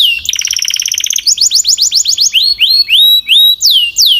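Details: A Belgian canary delivers a rapid stuttering trill, then a run of quick rising notes, followed by drawn-out upslurred whistles and falling sweeps, loud and clean.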